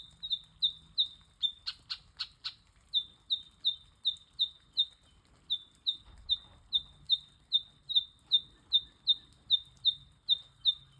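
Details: Two eastern yellow robins chirping in Australian wildlife: a steady run of about two dozen high, short, downslurred piping notes roughly every half second, briefly interrupted by a few sharp clicks, over a quiet low rumble.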